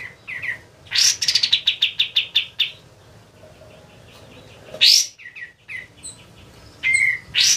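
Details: White-eye, known locally as kapas tembak, singing in full voice as tutor material for training birds: a fast run of about a dozen sharp, high repeated notes, a quieter pause, then scattered squeaky chirps and a bright whistled note.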